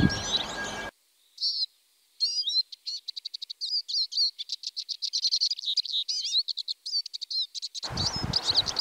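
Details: Eurasian siskin song: lively twittering of rapid high-pitched chirps, trills and slurred whistles, with a drawn-out wheezy rising note, delivered in a clean stretch between brief sections of background hiss.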